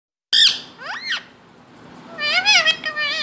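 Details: Indian ringneck parrot, a talking pet bird, giving harsh squawks and sweeping raspy notes, then a run of rising and falling nasal calls after a short pause.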